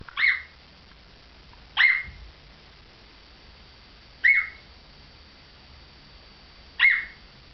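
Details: African grey parrot barking tenderly: four short, abrupt squawk-like notes dropping sharply in pitch, spaced irregularly a couple of seconds apart, in a quiet room.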